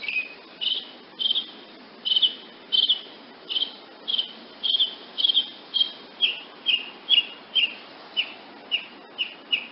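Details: Woodnymph hummingbird giving a long, steady series of high, sharp chip notes, nearly two per second, some slightly buzzy, continuing for about ten seconds.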